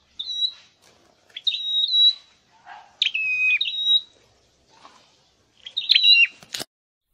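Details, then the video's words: Scarlet-headed flowerpecker kept in a cage for singing training, Indonesia: a series of high, pure whistled phrases, some stepping down from a higher to a lower tone, in short bursts separated by brief pauses, ending with a sharp click. "Deep red-headed birds(Dicaeum Trochileum): Birds thoroughbred training for singing chirped"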